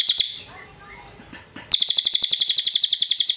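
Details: Cililin training recording: a few bright chirps, then a quiet stretch with faint low noise, followed by a sudden loud, very fast, high, tinkling trill of evenly spaced pulses.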